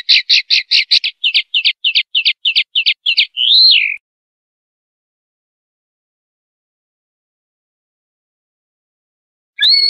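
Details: Pardillo limpio phrase from a Common linnet, silvestrismo style: a fast burst of chirps slowing into evenly spaced notes, finishing with a slurred falling whistle, followed by six seconds of silence and a single brief note.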